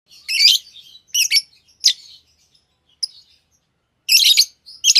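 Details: A small brown bird, perched atop a moringa tree and apparently seeking its partner, gives sharp, high chirps in short bursts, about five clusters over five seconds, with quiet gaps between and no other sounds.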